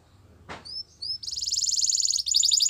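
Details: Canary singing: a single sharp click, then a pair of thin upward-sliding whistles, breaking into a rapid, dense buzzy trill that runs to the end.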